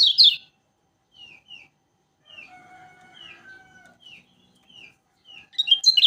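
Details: Lombok kecial kuning, a yellow flowerpecker noted for singing often. Loud twittering bursts open and close a quieter stretch of single, short, high downslurred notes spaced about half a second apart, with a faint lower hum.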